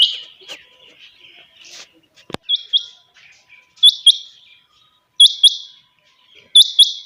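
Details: Morning calling of a chinga batair quail: a loud crack near the start, then four ringing high two-note phrases evenly spaced about 1.3 seconds apart.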